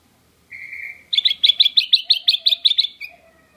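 A black-crested bulbul gives a short, steady whistled note, then a fast run of about a dozen bright, chirping notes that ends in a soft fading tail.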